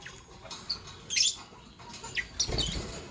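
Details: Morning chirps from pet lovebirds, a green Fischer's and a pastel blue: two short bursts of sharp, high squeaky notes about a second apart, over low rustling and scratching in the cage.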